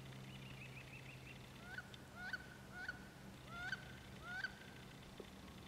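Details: Courting wood ducks on 14 April 2012 give five rising, squealing whistles, each upslurred and clipped at the top, roughly every half second. A short run of soft higher notes comes first, over a low steady hum.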